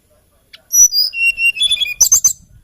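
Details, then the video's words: Hill blue flycatcher, known in Java and Kalimantan as tledekan gunung, with a melodious, lilting song: clear whistled notes at steady pitches, falling in steps, then a burst of rapid high chattering trills. "TLEDEKAN GUNUNG KICAU MERDU BURUNG ASLI NUSANTARA"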